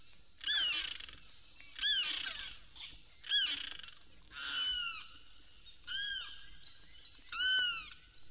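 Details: A Limpkin in Florida, a bird that calls by day or night from cypress swamps and sawgrass marshes, gives loud, wailing, harmonic screams that rise then fall, about one every 1.4 seconds, sounding like a person in distress.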